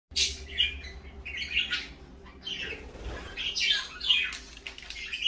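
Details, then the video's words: Parakeets in the morning, likely kept indoors as pets, giving bright, high chirps in quick bursts, some rising and falling, with short pauses and a soft flutter of wings between calls. "parakeets morning fun"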